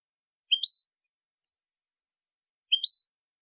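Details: Jilguero limpio, the clean song style of the European goldfinch, recorded in 2020: two upward-stepping slurred whistles framing a pair of short, very high chips, spaced well apart and heard against complete quiet.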